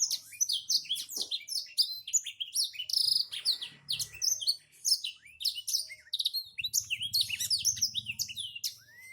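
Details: Black-throated canary, a national champion songbird noted for very prolific singing, delivers a fast, continuous stream of shrill chirps, rising and falling whistles and scratchy trills with barely a break, over a faint low rumble.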